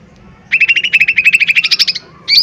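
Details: Lesser green leafbird performing hard 'tembakan' lure song meant to stir other birds into singing: a fast run of clipped, chirping pulses rising slightly in pitch over one and a half seconds, then a short, higher whistled phrase.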